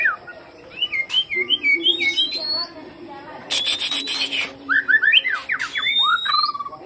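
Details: Lure recording of white-rumped shama song: bouncy whistled notes repeated in quick groups, then a harsh noisy burst, followed by rapid sweeping whistles and a falling slur, over a low steady hum.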